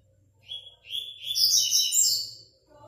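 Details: Double-collared seedeater in an online singing tournament from Praia Grande: a clear whistled opening swelling into a dense, high, buzzy warbling phrase lasting about two seconds, faint low hum behind.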